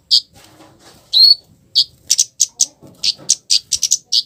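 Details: Harsh scarlet-headed flowerpecker call, used to goad other flowerpeckers into answering. Piercing high chips come in irregular bursts, one longer rising note near the start, and soft murmuring speech in the background.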